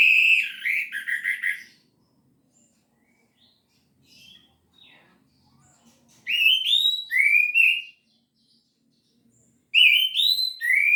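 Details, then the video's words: Energetic gacor teler song of an orange-headed thrush: three separate bursts of fluty, warbling phrases with quick upslurred notes, divided by pauses of several seconds. Faint low background hum. "Anis Merah Gacor Teler full materi"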